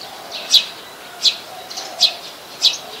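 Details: Brown-throated sunbird on 13 January 2021 in Ubon Ratchathani, Thailand, Nikon P1000: four strong, high, slightly buzzy chips at about 0.7-second spacing over a quiet low background.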